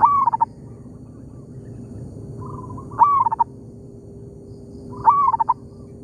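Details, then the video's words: Wild local zebra dove in an oil palm plantation, answering a decoy bird: a clear whistled phrase that rises then breaks into a short stutter of notes, repeated about every two to three seconds, with quieter answering coos between and a steady low hum. "merdunya suara perkutut lokal di kebun sawit,bersahutan dengan pikat"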